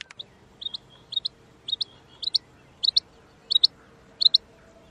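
A female rain quail gives high, sharp double and triple notes, each quick cluster repeated roughly twice a second over a faint low hum.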